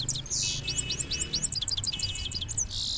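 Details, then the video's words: Goldfinch in two-step rolling song: fast series of high, tinkling twittered notes and tiny slurred chirps running for about two seconds, over a low steady background hum. "two step singing of gold finch rolling"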